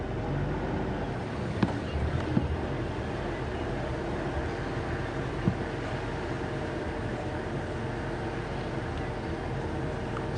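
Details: A steady low vehicle engine rumble with a few faint clicks and knocks, and no animal voices.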